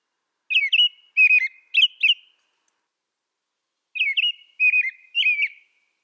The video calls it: American Robin Bird Sound, Bird Song